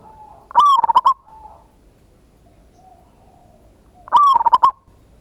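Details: Local zebra dove lure recording in 'ngayer kerot nutut' style, used to trigger answering song: two loud rolling coo phrases about three and a half seconds apart, each made of quick stuttering pulses ending in a short coo.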